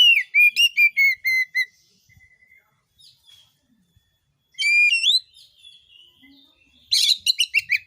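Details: Oriental magpie-robin singing strongly, a 'gacor' bird whose song is meant to trigger rival magpie-robins: a string of sharp whistled notes, a long gap, a rich rising whistle, then a burst of rapid harsh chattering.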